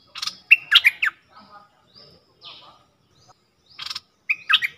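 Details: Newly caught red-whiskered bulbul, three days in a cage and placed in a decoy cage for the first time, sings eagerly in 2021: bright, bubbly warbled phrases in two quick bursts about four seconds apart, with soft chirps between.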